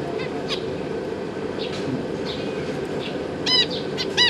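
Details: Captive zebra finches, a pair with juveniles and newly fledged young: short, nasal, harmonic calls, mostly a few scattered notes and two louder bursts near the end, over a steady background hiss.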